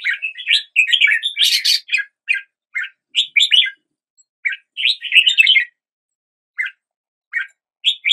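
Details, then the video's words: Morning song of a red-whiskered bulbul, a lively run of cheerful chattering whistles and quick warbled notes in clustered phrases, then sparser single chirps with short pauses; clean recording without background noise. "Red whiskered Bulbul Song"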